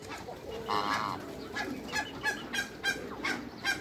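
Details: African gander and Toulouse goose, a new breeding pair kept in a backyard in Greece: a single harmonic honk held for about half a second, surrounded by short scattered clicks and faint backyard noise.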